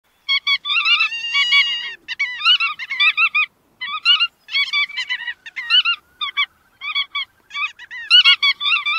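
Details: Bar-tailed godwits giving a busy chatter of short nasal, harmonic calls in bursts, several birds overlapping, with a few drawn-out wavering notes near the start and brief gaps between groups of calls.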